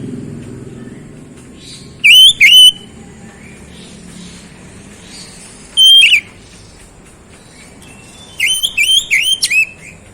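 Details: Oriental magpie-robin singing: sparse loud whistles, a double note, a single one four seconds later, then a quick string of several whistled notes, with faint low rumble beneath.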